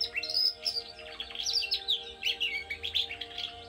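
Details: Domestic canary kept by a breeder, its song used to help young birds start singing; a fast run of high chirps, trills and twittering notes, densely packed and continuous, over a faint background hum.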